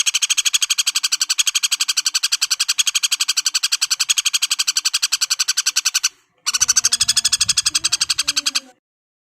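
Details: Common flameback woodpecker giving a long, harsh, dry rattle of rapid, evenly spaced notes for about six seconds. It breaks off briefly, then resumes with a low rumbling noise beneath.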